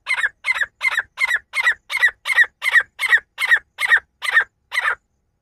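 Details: Partridge pair calling: a fast, steady run of about a dozen harsh, scratchy notes, nearly three per second, stopping abruptly after five seconds.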